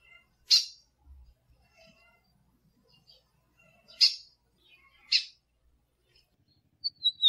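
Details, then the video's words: Female lined seedeater giving loud, abrupt chip calls for caged birds in training, three widely spaced bursts with soft faint notes between, then a brief high twitter at the end. "CANTO DO BIGODINHO MACHO E PIADO DA FÊMEA BIGODINHO"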